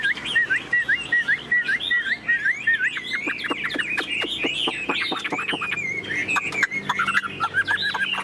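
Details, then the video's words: Chinese hwamei, a tame bird kept in a cage, repeats short whistled notes quickly, then breaks into sharp downward-sweeping notes and varied warbles. "Chim thuần sách lồng hót"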